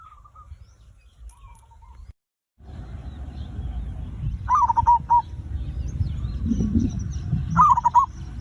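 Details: Zebra dove song played to trigger singing in other birds: faint coos early, a brief dropout, then two clear bubbling cooing bursts amid rising low rumbling noise and faint high chirps.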